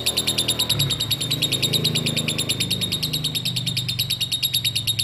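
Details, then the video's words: Lovebird singing in the ngekek konslet style: a long, unbroken, rapid chattering trill of sharp high pulses at an even pitch, with faint low rumbling underneath. "burung lovebird ngekek konslet"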